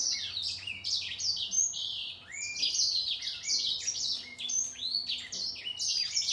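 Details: In a singing contest with a green singer, the grey singer finch delivers lively high warbles, rising and falling whistled notes strung together rapidly, over faint background hum.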